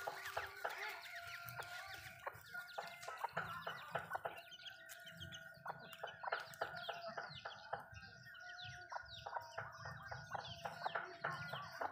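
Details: Backyard Malay chickens eating food at home: a busy stream of high, down-slurred peeping chirps mixed with low clucks and sharp pecking clicks, irregular and continuous throughout.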